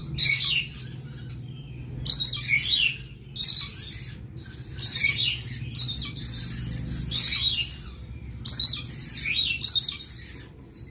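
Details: Rainbow lorikeet recording used for tutoring cage birds: bursts of shrill, screechy high chatter lasting one to two seconds, repeated with short gaps, over a steady low hum.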